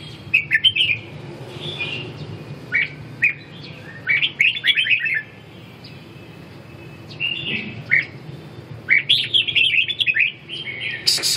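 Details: Song of a red-whiskered bulbul: lively clusters of rising and falling chirpy whistles, several phrases separated by brief gaps, the final burst longest and densest, with faint low hum beneath.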